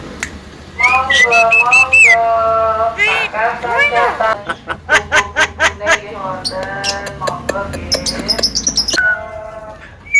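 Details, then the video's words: Caged Javan myna at home mimicking sounds, said to cough, laugh and call to girls; a run of loud harmonic whistled notes, some rising and falling, then rapid clipped chatter, with music and human voices around. "bisa batuk,tertawa dan manggil cewek"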